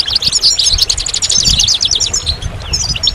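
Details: Goldfinch giving a quick, bright twitter of clear high chirps and short trills in a continuous run, with faint low background noise.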